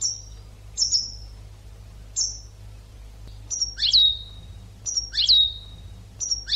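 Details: European goldfinch on an educational recording for training birds: sparse, very high, sharp notes that slide steeply downward, spaced about a second and a half apart, some ending in a drawn-out twanging tail, with a faint low hum.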